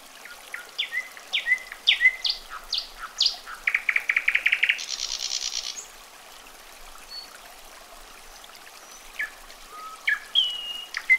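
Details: Common nightingale song with varied phrases: sharp descending whistles, a rapid rising rattle, a harsh high buzzy burst, then a quiet pause before sweeping notes and a drawn whistle resume.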